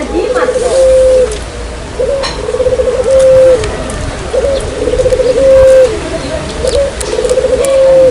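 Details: Dove lure call: repeated phrases of rapid pulsing coos, each ending in a smooth level coo, about every two seconds, with light background noise.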